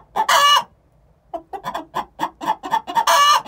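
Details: Two six-month-old hens giving the egg song before laying: a loud harsh drawn-out squawk, a pause, then a run of quick clucks building back to another long strident squawk.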